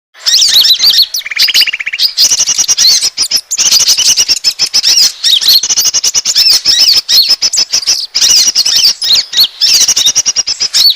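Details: Asian glossy starling lure call for attracting birds: dense, nonstop squeaky high chatter and sharp chips, with one short buzzy rattle near the start and brief gaps between bursts.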